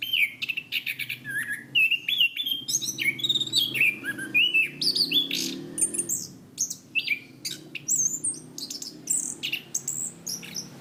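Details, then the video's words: Cage-kept Orange-banded thrush singing on a training recording: long varied stream of clear whistled slurs mixed with very high sharp chips and buzzy notes, fast and energetic throughout. "Masteran Anis Kembang | Punglor Gacor Ngeplong Mantap"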